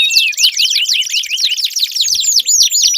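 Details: Canary song to stimulate a silent canary, quick swooping whistled notes in a steady rapid stream, with a faint low knock near the end.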